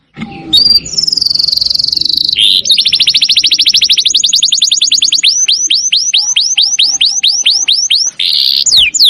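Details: Canary training song for cage birds: a sustained high whistled tone, then a long rapid trill speeding into evenly spaced downward-swept notes repeated about three per second, with faint background rustle.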